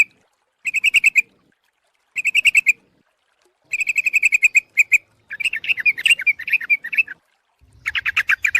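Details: Sooty-headed bulbul lure call: short bursts of rapid, bright chirps repeated in quick series, each burst about half a second long with brief pauses between, later bursts becoming more jumbled and warbled.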